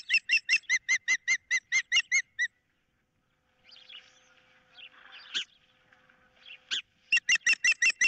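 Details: Ospreys recorded on 15 April 2023 by a nest camera, one bird perched with a fish on a picnic pole and the other wanting it while an intruder is about. Quick strings of piercing chirps, then faint songbird chatter, then the chirping resumes.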